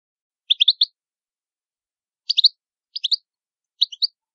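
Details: Italian goldfinch (cardellino) giving short bursts of three quick, bright, twittering chirps, repeated four times with pauses in between, clean background.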